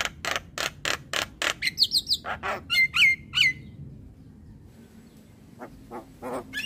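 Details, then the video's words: Morning Javan myna used to stir young birds into song: harsh rasps in quick succession, then clear slurred whistles, a quiet gap and a few more rough notes. "Pancingan jalak Kebo pagi hari Untuk Semua Jenis Burung jalak Muda Bikin Gacor"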